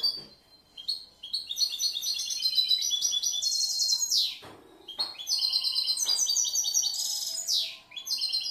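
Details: Caged year-old European goldfinch with a varied, inventive song: long phrases of fast, glittering twitters and chirps, each ending in a harsh descending rasp, then a new jingling run begins after a short gap.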